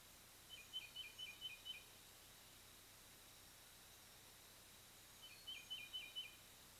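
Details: Wild bald eagle pair visiting their nest over 100 feet up a Loblolly Pine near Kincaid Lake, Kisatchie National Forest, Louisiana, on 3-10-23 after the eaglets fledged; two series of thin, high chittering notes, about six each, with a hissing background.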